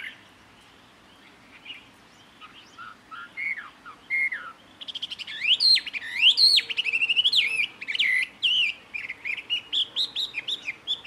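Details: Jungle babbler in Karnataka, India, copying the calls of other birds: soft scattered whistles at first, then a loud, varied flow of swooping, warbling phrases with rapid sharp notes, pulsing and irregular.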